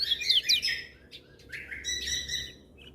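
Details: Lemon-bellied white-eye singing with other birds joining in: two dense bursts of high, buzzy, overlapping twitters separated by a short gap.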